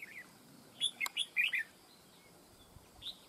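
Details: Decoy red-whiskered bulbul singing in a fight trap, giving a short burst of five loud, lilting warbled notes in under a second, then near silence with one faint note.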